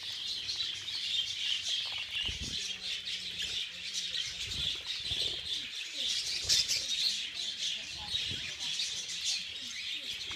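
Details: Crowded budgerigars during a feeding frenzy give a loud, unbroken chorus of high chirps and scratchy chatter, with occasional wing flaps and a few lower cooing notes beneath.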